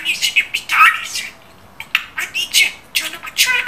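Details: Pet talking budgerigar imitating Turkish speech, apparently phrases like "I am my mother's son, I am a smart bird"; rapid high, raspy, speech-like syllables in several quick bursts separated by short pauses, with chirpy squeaks between words.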